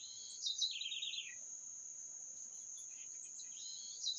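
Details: Bird gives one falling trill, high notes dropping into a quick stuttering series, then begins another at the end, over a steady piercing high drone in an otherwise quiet setting.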